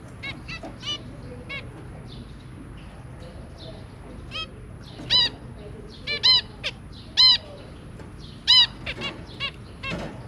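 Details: Zebra finch pair with their three young, recorded 23 January 2022: short nasal, harmonic-rich calls given in scattered bursts, louder notes in quick pairs around the middle and end, over a low steady background hum.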